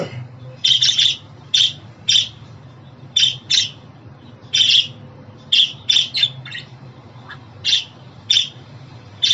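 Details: Pet budgie calls for male and female birds, to help a new budgerigar settle at home: scattered quick chirps and squawky warbles, single and paired, with irregular pauses between them.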